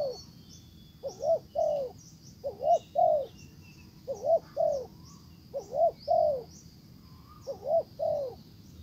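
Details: Spotted dove kept as a decoy, cooing to pull a wild dove back, without success; repeated groups of two or three soft, low hooked coos with uneven gaps, faint thin bird chirps far above.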